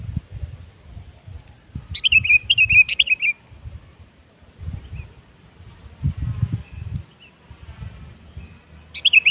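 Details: Sooty-headed bulbul singing a prompting song meant to start other bulbuls singing: two bubbly, descending whistled phrases, a long gap with low thumps and rumble, then a new phrase beginning at the end.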